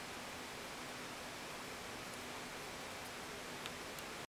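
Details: Only a steady, even hiss of broadband noise is heard, with no animal voice.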